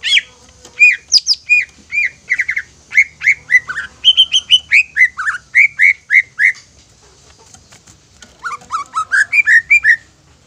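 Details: Greater green leafbird lure song to provoke other leafbirds into singing: a long, varied sequence of fast whistled notes and short trills, a quieter pause near eight seconds, then a fresh run of rising whistles.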